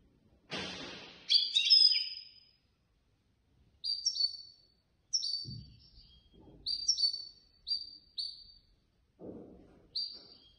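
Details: European goldfinch, a competition bird placed third in a contest held by a Casablanca bird lovers' association, sings short bright twittering phrases, high and rapid, separated by pauses, with a brief low rustle at the start.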